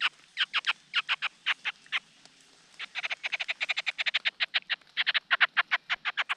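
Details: Large niltava chicks at the nest while the male feeds them: dense runs of short, harsh chirps, several per second, pause briefly, then resume faster and keep going to the end.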